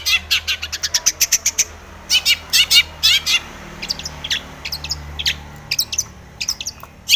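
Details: Long-tailed shrike in full song with mimicked fill phrases, agitated and seeking a rival: rapid dry chips and harsh bursts, then thinner, higher squeaky notes scattered irregularly.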